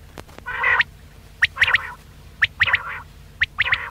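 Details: Quail calling, a recording used as a lure for hunting: a broad harsh burst, then sharp whistled notes near the top in short phrases. Each phrase is a single note followed by a quick double note, repeating about once a second over a steady low hum.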